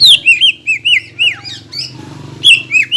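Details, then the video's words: Greater green leafbird in full song, played to fire up rival leafbirds: clear slurred whistled notes, some dipping sharply downward, in quick series with a short pause before more whistles resume; steady low hum behind. "PANCINGAN CUCAK IJO GACOR NEMBAK UNTUK MENAIKAN EMOSI CUCAK IJO LAIN AGAR JAMTROK"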